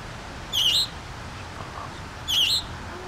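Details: Young scarlet tanager at Memorial Park, New Kensington, Pennsylvania: two short, wavering, slightly rising high notes about 1.8 seconds apart, each lasting a fraction of a second, with a steady soft background hiss.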